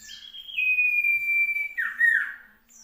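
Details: Common iora from South Malang, 16 June 2020. A high note steps down into a long sustained whistle lasting over a second, then a brief harsh, warbled drop and a clear upslurred note. A faint low hum sits underneath.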